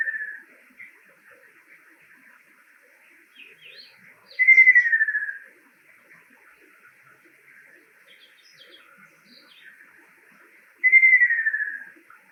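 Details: Male Ruddy kingfisher song, a summer visitor to Japan: two descending rolling trills about six seconds apart, each sliding downward and fading toward the end, with quiet background chirps from other birds between phrases.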